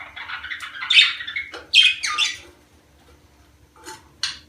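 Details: Budgerigar warbling aimed at stimulating mating: scratchy, buzzy phrases with stepped up-and-down notes, then a quiet gap and two short sharp squawks near the end.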